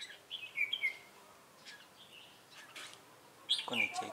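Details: Decoy red-whiskered bulbul singing "ché" style at a trapping site in Bình Phước, Vietnam, 25 June 2018. Quick chirpy warbled notes at the start and a louder phrase near the end, with soft clicks and a low voice-like sound.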